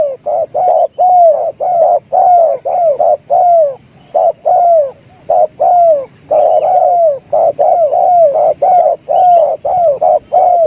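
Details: Spotted dove, called jergot or tekukur, voicing the tarik akar song style: dense runs of short, arching, mid-pitched coos in rapid pairs and groups, almost continuous with brief gaps, over a faint low background hum.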